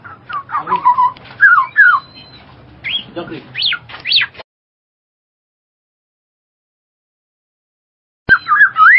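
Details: Black-naped oriole giving slurred falling whistles and sharp rising notes for about four seconds, then a silent gap, then a final burst of wavering whistles.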